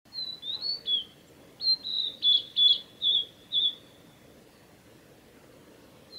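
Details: A male Blue-and-white flycatcher singing on the Mizusawa forest road, Tanzawa, Japan, June 8, 2020: a phrase of clear, high, slurred whistles, about eight notes over four seconds, over a soft rushing background.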